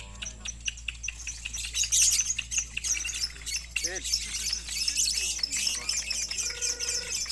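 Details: Lovebirds competing in a songbird contest in West Sumatra, Indonesia. Dense, high chattering trills and rapid twittering fill the recording, with a human voice audible in the background.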